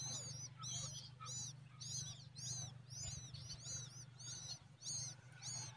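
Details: Common babbler parent feeding its young a giant worm; thin, high, arched squeaks pulse in regular bursts over a steady low hum.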